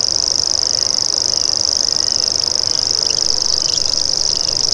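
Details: Continuous insect-like buzzing trill from a common grasshopper warbler, one unwavering high note held the whole time, while faint short chirps of other birds appear toward the end.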